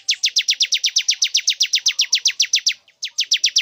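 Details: Bar-winged prinia male luring a female into breeding condition, delivering a long rapid run of bright, descending high notes at about four per second, with one brief break before the string resumes.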